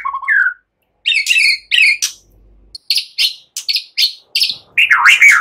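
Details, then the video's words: Relaxed chattering song of a white-rumped shama, including imitations of cililin and ciblek, used as a lure for songbirds; one rising whistle, then a string of high buzzy chips about every half second, ending in a wavering whistle. "Ocehan SANTAI MURAI BATU, NEMBAK CILILIN SAMBUNG CIBLEK cocok buat Pancingan"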